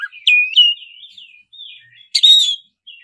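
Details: Oriental magpie-robin, black-breasted form, in rolling lure song for a kacer: clear sliding whistles followed by a sudden loud, buzzy burst, in a clean recording.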